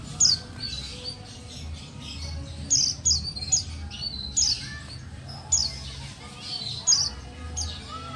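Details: Calling of a female buxtoni white-eye meant to make lazy males answer: sharp, very high chirps given singly or in close pairs, roughly every second, over a faint steady hum.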